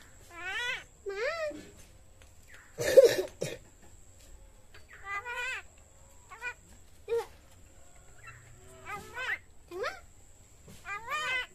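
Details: Common myna imitating speech, its age given as 6 months or 9 years; short wavering harmonic utterances scattered over several seconds, one louder burst midway, with quiet gaps between.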